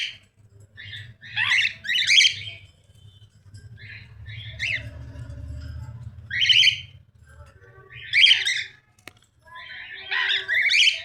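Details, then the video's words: A series of scratchy, buzzy cockatiel squawks in short bursts a second or two apart, some doubled, over a faint low hum. "cockatiel sounds"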